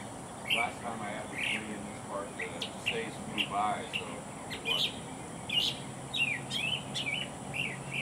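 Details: Northern Mockingbird singing at Hazel Bazemore County Park hawkwatch: a run of varied, high chirped and squeaky phrases, a new note every half second or so, with a man talking quietly underneath.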